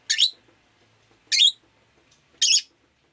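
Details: Rosy-faced lovebird chirping on a rainy day, three loud, harsh, buzzy calls about a second apart, with a faint background hum.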